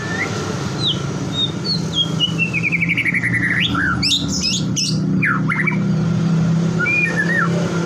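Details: White-rumped shama singing in a lure recording meant to provoke other shamas into song: a varied run of sweet whistles, rapid buzzy trills and sharp upslurred notes, with a steady low hum throughout.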